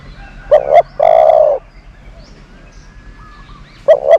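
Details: A dove used as a lure bird gives one full cooing phrase, a short doubled note then a steady drawn-out coo, followed by quiet and the start of the next double note; faint chirping nearby.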